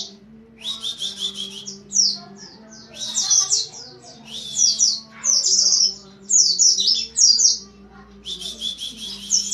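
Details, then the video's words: Oriental white-eye, 'nembak rapat' fast-firing song: a jumble of high buzzy rattles and sharp squeaky notes in repeated bursts with short gaps, a steady low hum throughout. "Suara Pleci nembak rapett!!"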